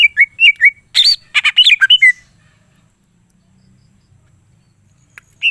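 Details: Greater green leafbird giving a full song with mimicked phrases, meant to prompt other leafbirds to sing: quick whistled notes run into a dense, rasping chatter, then silence before a single faint high note.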